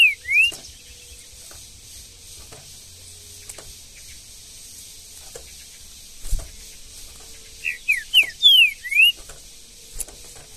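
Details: Green-winged saltator singing in the bush in Brazil: one short whistled slurred note at the start, then after a quiet pause a quick phrase of four or five sweeping, downslurred whistles, with faint background hiss.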